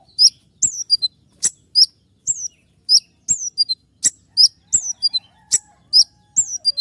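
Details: Wild sunbird calling, offered as a lure for all songbirds: piercing high, down-slurred chirps in rapid twos and threes, interspersed with sharp clicks, steady chattering throughout.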